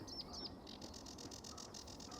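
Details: A sedge warbler sings in Finland in spring (April–May) to attract a mate: two quick upslurred whistles, then a fast run of scratchy, chattering notes at about ten per second, high-pitched, over a faint hiss.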